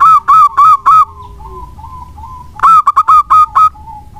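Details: Zebra dove of the local type, singing as a lure for other birds: four slightly wavering coos, a quiet pause with soft trailing notes, then a rapid run of six short staccato coos.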